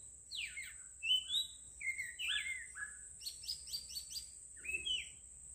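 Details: Melodious birdsong with varied whistled phrases, sharp downward slurs and warbles, then a rapid series of about eight repeated bright notes, ending in a rising-falling whistle; a constant high-pitched whine runs throughout.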